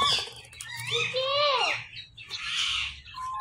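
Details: Pet Indian ringneck parakeet giving a talking phrase of slurred, wavering voice-like notes, then a harsh burst, over a low indoor hum.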